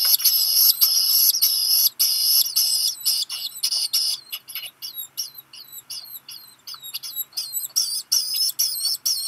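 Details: Black guillemot chick at Seal Island National Wildlife Refuge, Maine, in July, calling to a parent arriving with a fish meal; loud shrill squeals first, then a rapid series of brief downslurred whistles, several per second.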